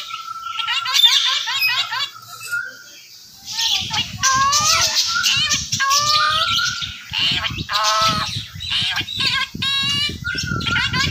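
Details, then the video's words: Talking Indian ringneck parakeet: a quiet opening of short stacked warbles, then a dense run of harsh squawks, chattering notes and wavering voice-like sounds, with low thumping and rustling underneath. "Talking Ringneck Gorgeous style | Bolnay Wala tota Urdu/ Hindi"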